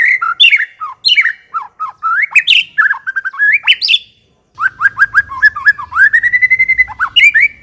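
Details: White-rumped shama singing hard in ngekek style, a loose series of rich up- and down-slurred whistles, a brief silence, then quick chips leading into a long, level whistle; faint low hum.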